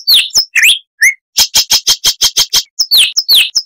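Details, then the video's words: Chestnut-vented warbler song, loud and clear for so small a southern African scrub bird: sharply downslurred whistles, a rapid string of evenly spaced bright chips, then more swooping slurred notes. "Suara Asli Kristal HD - Chestnut-vented Warbler (Sylvia Subcaerulea)"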